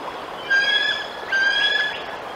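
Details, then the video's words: Adult bald eagle at the Decorah nest on 7 July 2022, back with a fish and calling warnings at a young juvenile eagle perched nearby. Two drawn-out, thin whistled notes, each about half a second, with a steady background hiss. "Eagle guards his fish from Intruder!"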